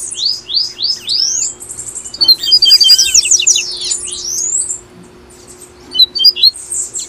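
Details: Double-collared seedeater from Brazil singing the tui-tui song style, recorded to prompt caged birds to sing: a quick run of high rising slurred whistles, then a dense burst of sweeping notes and scattered sharp chips after a brief pause.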